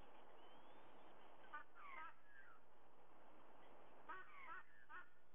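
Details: White-bellied sea eagle calling at a nest in Sydney, Australia, 30 September 2022 at 05:44: two bursts of harsh, honking, goose-like notes in quick doublets, about 2.5 seconds apart, over a steady background hiss.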